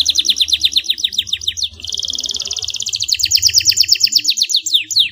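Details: Clear, vigorous canary song offered as a lure for reluctant, lazy canaries: rapid rows of repeated descending chirps, then a steady buzzing roll, then fast bouncing trills.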